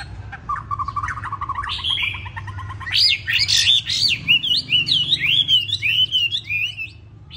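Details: Caged tame Hwamei from Hanoi, Vietnam, bearing a single white feather and not yet in full condition: soft rapid chatter builds into loud, clear, rising and falling whistles repeated quickly in a rolling series, with faint low hum beneath.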